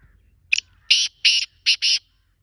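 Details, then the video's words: Black francolin, called kala teetar, giving a loud call: a short sharp opener followed by four rough, grating notes in two pairs, then silence. "Kala Teetar Ka style"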